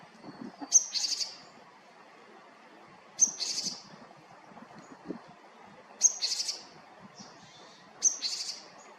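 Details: Japanese tit recorded in Haenam repeating a call every two to three seconds, four times: a sharp high tick followed by a short buzzy, chattering burst, with a soft low background.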